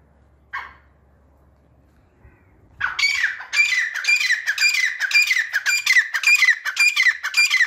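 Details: Grey francolin (teetar) calling: after a short isolated note, a loud run of harsh, ringing phrases starts, each dropping in pitch, repeated steadily about twice a second, indoors and close.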